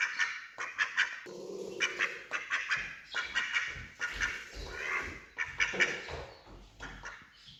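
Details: Male and female ducks feeding together and reacting, some scared of a person nearby; a busy run of short nasal quacks and chatter overlapping one another, with scraping and handling noises underneath.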